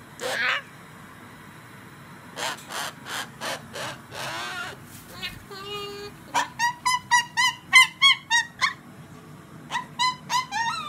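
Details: Pet cockatoo kept at home, giving bursts of short, nasal, harmonic-rich calls about three to four per second, with a few softer voice-like sounds near the start and a quiet indoor background.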